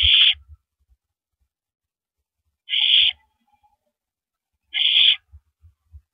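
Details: Owl at night at its nest in April 2012 during a rabbit handoff between mates; three raspy hiss-screeches, the second after a long two-second pause, with soft low bumps and knocks.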